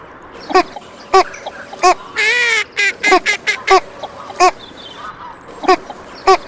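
A female northern shoveler gives about ten short, nasal quacks at an uneven pace, with one longer, drawn-out, rasping call partway through.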